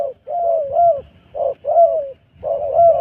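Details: Wild dove cooing: low, mellow coos in short phrases, a soft lead note followed by a longer, slightly wavering coo, the phrase repeated about three times with brief pauses; faint background rumble.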